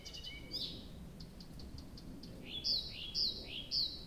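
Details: All-night nightingale song at Abramtsevo, early June, recording started 23:00 on 6 June 2021: soft ticks and a whistle, then four loud rising whistled notes repeated about every half second.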